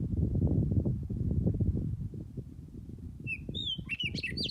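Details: Heavy low wind rumble for three seconds, then a meadowlark singing or calling for a mate, with clear, flutey whistles slurring and warbling into a brief jumbled phrase near the end.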